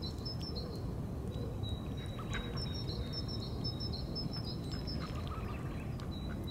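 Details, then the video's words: Mating calls of tufted duck, a small diving duck: faint high whistles and soft twittering notes running almost continuously, a steady thin tone beneath them, all over loud low rushing background noise. "Tufted Duck Sounds"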